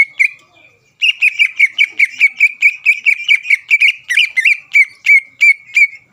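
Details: Greater green leafbird, a caged contest bird, singing persistently to provoke and steady rival leafbirds: after a brief opening note and a pause, a fast run of about fifteen sharp, bright chirped notes, evenly repeated.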